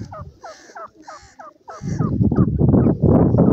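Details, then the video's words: Painted francolin, identified locally as teetar or silver francolin, gives a quick run of hoarse, hooked notes, about three a second, before loud low rumbling noise drowns the rest. "methi boli teetar ki,silver francolin ki awaz"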